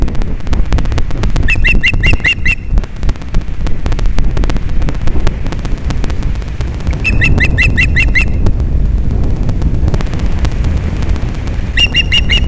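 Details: Ospreys mating on a December morning at Captiva, Florida, in 2021: three bursts of rapid, piping chirps, each a quick even series of about eight notes, separated by gaps filled with strong wind buffeting.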